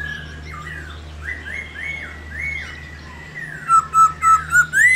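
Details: Laughingthrush 'réo' song to set other laughingthrushes singing: soft drawn-out wavering whistles over a low hum, building to five loud quick rising whistled notes at the end.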